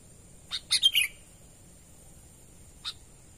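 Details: Sooty-headed bulbul natural lure call: a quick cluster of four sharp, slurred notes dropping in pitch, followed after a long pause by a single faint chip.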